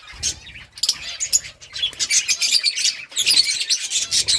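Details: Budgies chirping in rapid, high-pitched bursts of raspy warbling and short tweets, several birds overlapping in a lively, continuous chatter.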